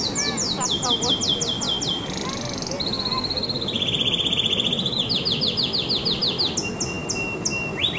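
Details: Canary song made of rapid trilled tours at changing pitches, including a dense buzzy roll and a sustained thin whistle, with steady low rumbling noise throughout.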